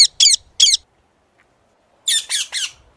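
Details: Ring-necked parakeet giving harsh, screechy squawks: three quick notes, a pause of over a second, then another burst of three loud grating screeches.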